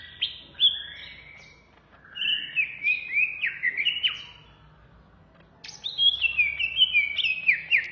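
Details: Greater green leafbird, known locally as cucak ijo Banyuwangi, in fierce ngentrok ngamuk song: two dense bursts of bright, high whistled phrases with quick downward slides, separated by a quiet gap of about two seconds.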